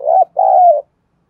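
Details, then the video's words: Lure spotted dove used to stir up new birds for fight training, one loud coo phrase: a short wavering note, then a longer, smooth, slightly falling hoot. "Thúc & gáy gọi/ tiếng Cu gáy mồi giọng đồng thổ hạp bổi kích mồi luyện bổi hiệu quả"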